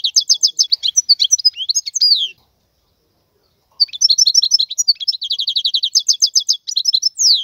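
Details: Song of a wild European goldfinch: quick liquid twitters and trilled phrases, then over a second of silence before the bird resumes with a rapid run of repeated chirping notes ending in a rising slur.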